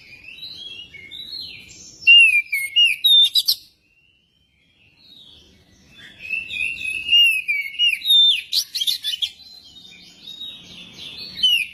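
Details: Magpie-robin singing as a lure to spur another magpie-robin into song: loud varied whistled phrases with sharp trills, a silent gap, then a long, rambling run of slurred whistles and twitters.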